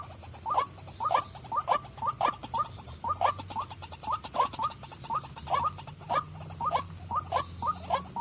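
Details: Female white-breasted waterhen calling persistently: a long run of clipped, nasal paired croaks, about two per second and slightly uneven in spacing, against a steady high electrical whine and low hum.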